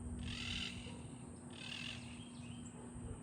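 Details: Two monk parakeets communicating in a backyard on a cloudy day exchange harsh, raspy screeches in short back-and-forth bursts over a low steady hum and background noise.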